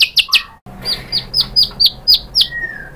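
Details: White-rumped shama answering a provoking song: three sharp downward notes, a short pause, then a series of about seven clipped descending notes and a thin drawn-out whistle.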